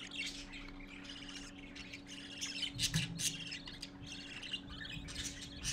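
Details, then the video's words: Parakeet chicks gather to see their father, Lime, on 12-4-14 at 11:45 AM, giving a chorus of rapid, harsh, overlapping, irregular squawks and chirps over a steady low hum. "Parakeet Babies All Gathering to see Daddy"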